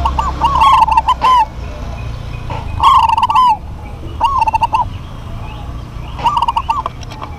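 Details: Duet of local zebra doves: rapid rolling trilled coos in four main bursts, each a quick stutter of notes with a slight downward curl at the end, set against steady low background noise.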